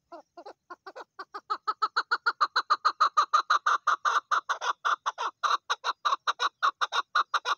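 A female chukar gives a long run of nasal, clucking chuck notes. They start sparse, then quicken into a steady, loud rally of about three notes per second.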